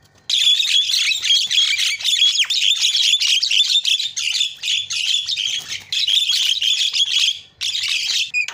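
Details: Javan myna song used as a lure to make silent mynas sing: loud, dense, harsh chattering and squawking, nearly continuous, broken by short pauses, with scratchy rasps and interwoven whistled notes.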